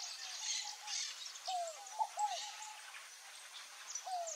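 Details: Scaled dove singing low, soft, down-curved coos in a quick three-note phrase, with a lone note repeated later, over a steady wash of high chirping and buzzing from other creatures.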